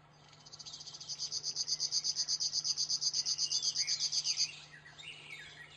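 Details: River warbler building its song from a soft start into loud, evenly repeated buzzy pulses, then breaking off into a few lower twittering notes before fading.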